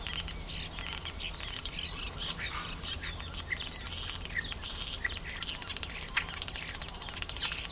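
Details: Common starlings in noisy Toronto give a busy jumble of chirps, whistles and squeaky notes, including mimicked calls of a hawk and a goldfinch, over a low steady hum of background noise.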